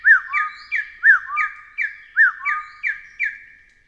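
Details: Taiwan hill partridge, endemic to Taiwan's forested hills, uttering paired whistles, a down-curving note then a rising slurred one, repeated at uneven intervals through a few seconds of quiet background.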